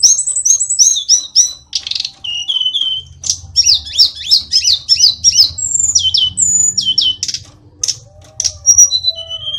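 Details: Hill blue flycatcher (sulingan gunung) from Kokap, Kulon Progo, Yogyakarta, a sweet-voiced mimic, pouring out fast high twittering phrases and clear downslurred whistles, with brief pauses between bursts.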